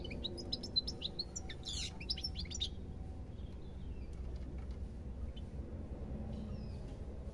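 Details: European goldfinch singing: a burst of quick twittering, tinkling notes over the first three seconds, then sparse faint chirps, with a steady low hum underneath.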